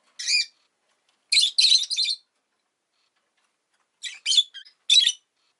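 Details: Rosy-faced lovebird uttering clipped, high, harsh chirps in small groups: one note, a quick triple, a pause, then another rapid run of four.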